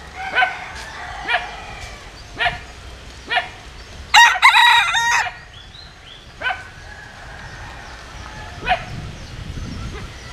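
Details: Bantam rooster, a Japanese bantam × Cuban cross, crowing vigorously: one loud, strained multi-part crow in mid-clip. Fainter, shorter crows from other roosters are repeated around it against a steady outdoor background.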